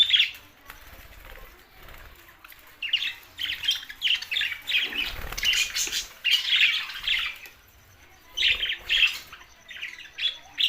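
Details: Budgerigars, described as lonely, recorded June 7, 2024: bursts of busy, scratchy warbling chatter alternating with brief quieter pauses, the bright squeaky notes overlapping in dense runs, with some low rustling underneath.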